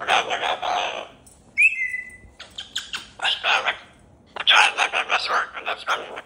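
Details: Pet cockatoo greeting its people with silly hellos and wing waves indoors: harsh, raspy squawks in bursts of several notes, a brief clear whistled note in between, loud and close.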